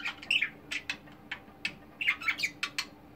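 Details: Pet budgerigars, multicoloured, one nicknamed the group's clown, give short scratchy chirps and squawks in quick bursts with brief gaps, over a faint steady low hum.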